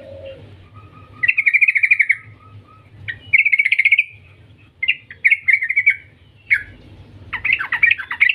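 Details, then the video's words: A yellow-vented bulbul sings four bubbly, chattering phrases, each about a second long, in a bright mid-high pitch, a call used as a lure to prompt other bulbuls to sing; faint low background rumble. "Suara panggilan trucukan gacor ngetir panjang"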